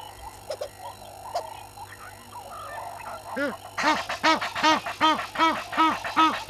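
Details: Hadeda ibis at Gowrie dam waterhole, Djuma Game Reserve, Sabi Sand Wildtuin, South Africa, at 05:17 on 11/01/21. A soft background chorus gives way to loud, harsh, nasal arched calls repeated about two and a half times per second.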